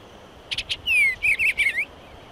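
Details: Eastern bluebird: three short high notes, then a run of soft warbled, downslurred phrases in quick succession, clear against a quiet background.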